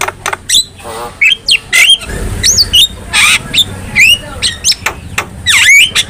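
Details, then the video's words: Black-winged myna song used as a master recording to get other mynas singing: harsh squawks, sharp clicks and rising, looping whistles in quick bursts, with a low hum underneath. "KICAUAN JALAK KEBO | Masteran Jalak Paling Gacor,Hanya Hitungan Detik Saja Jalak Apapun Pasti Nyaut"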